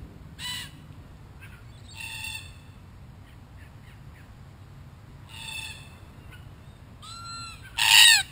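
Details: Group of wild Australian red-tailed black cockatoos at a spy camera: widely spaced, grating, harmonic squawks, some distant, with a clear upward-bending whistled note before a final loud, harsh call.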